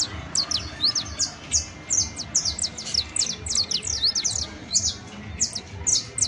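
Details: Saffron finch (canario criollo) in sustained professional song: a continuous, fast stream of shrill downslurred chirps in tight clusters throughout, very high pitched and dominant over a quiet background.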